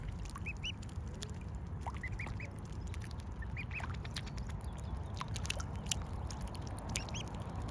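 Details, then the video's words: Mute swan cygnets give thin, high peeping calls in short clusters, with some soft lower notes, over a steady low rumble of wind or water. "Mute Swan Cygnets"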